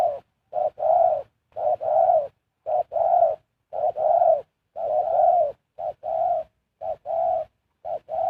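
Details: Decoy spotted dove kept to lure wild birds, cooing steadily: paired low notes, a clipped first coo then a longer rolling one, repeated roughly once a second over several phrases.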